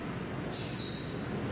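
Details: A Japanese white-eye trapped in a building at Taipei Artist Village, Taiwan, gives one thin, very high note sliding downward over about half a second, against a faint background hum.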